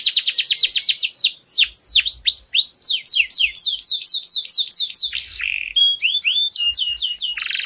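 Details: Canary song played to train young birds, with fast repeated chirps, a run of slurred whistles, a rasping buzz, then shorter high notes and a closing buzzy trill.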